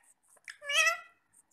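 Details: A pet parrot eating apple indoors gives one drawn-out harmonic squawk, preceded by soft faint notes.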